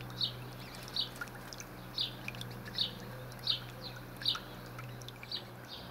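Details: A captive White-rumped shama in a Dutch aviary, singing while foraging, gives short, bright, high notes about once a second, over a steady low hum.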